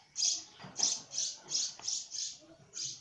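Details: Young sparrow chick, not yet fully grown and untrained, giving a run of short, high, sharp chirps repeated about every 0.4 seconds, with slight room noise between notes.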